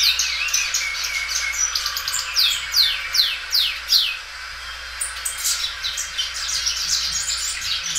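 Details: Loud-singing caged Belgian canary stretching its song, with a series of rapid downward-sweeping notes around two to three seconds, then fast high trills, a faint steady hum underneath.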